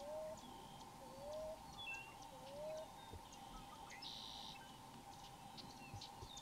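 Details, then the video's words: Common ground dove singing in the wild, perched in a tree: three soft, rising coos about a second apart open the recording, then stop, over a steady hum with scattered high chirps from other birds. "Common Ground Dove Song"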